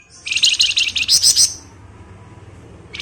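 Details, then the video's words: Flamboyan bird in ngebren singing, meant as a lure recording. A single fast, high chattering phrase of about eight shrill chirps lasts just over a second, then a pause and the start of another phrase. "Rajanya Ngebren Burung Flamboyan"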